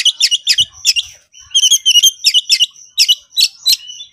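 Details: Agitated Oriental magpie-robin singing konslet style to call out a rival for a fight: rapid clusters of sharp, buzzy chirps and trills in quick bursts, with a brief pause mid-phrase, clean and loud.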